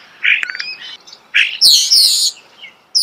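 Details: Starling at close range giving harsh squawks and a buzzy rattle, with a brief thin whistle between loud grating bursts, in a natural outdoor setting.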